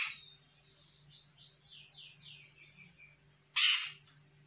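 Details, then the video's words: Grey-cheeked bulbul, a young untrained Sumatran bird, answering a lure call: a quick run of about six slurred, descending whistled notes, ending in one loud, harsh, rasping burst. "CUCAK JENGGOT SUMATRA GACOR - CJM BAKALAN AUTO NYAHUT"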